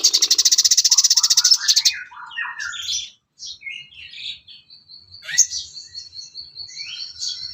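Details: Sooty-headed bulbul song used to train songbirds: opens with a fast buzzy rattle, then descending chirped phrases and a long high trill with scattered sharp notes.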